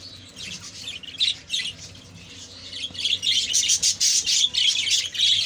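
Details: Budgerigars in a kept colony keep up a dense, busy warble of rapid chirps and squeaky notes that builds louder toward the end, with many birds calling at once.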